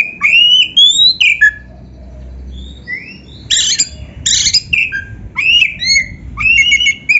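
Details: Song of a white-rumped shama, played as a master recording to train kept birds: clear rising whistles around the upper-middle range mixed with short harsh buzzy bursts and quick chirps, loud against a low steady background hum.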